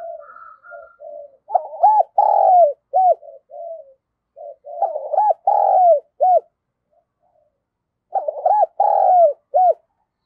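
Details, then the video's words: Spotted dove in the 'giọng thổ' voice style, urging coos and calling: short soft lead-in notes, then a low coo phrase of several hooting notes, repeated three times about every three seconds, with no other sounds. "cu gáy thúc gù và gáy gọi cực đỉnh/ cu gay giong tho cuc dinh"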